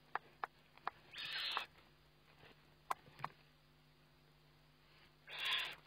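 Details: Eagle-owl recorded by webcam at a feeding, 29 May 2011: a loud rasping hiss lasting about half a second, then scattered clicks and knocks, and a second long harsh hiss near the end, all over a faint steady hum.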